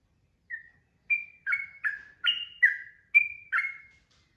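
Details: Sooty-headed bulbul 'ropel' song used as tutor audio: after a lone soft whistle, a brisk series of slurred, falling whistled notes arrives roughly every half second against clean silence.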